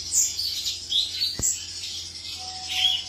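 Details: A male cucak cungkok gives short squeaky, slurred high notes in a few bursts, with a single sharp click and a low background hum.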